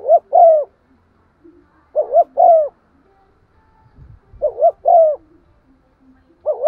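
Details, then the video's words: Decoy spotted dove in 'giọng son' style giving stimulating coos: short paired hoarse notes followed by a longer falling coo, the phrase repeated about every two and a half seconds, with faint low thumps between. "Tiếng chim cu gáy mồi thúc gù bài bản giọng son"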